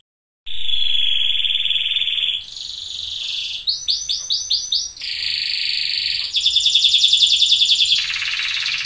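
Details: Loper sunkist canary with strongly orange plumage delivering master lure song: a long steady ringing trill, then a short burst of rolling notes, followed by rapid buzzy trills in changing bursts, with no other sounds.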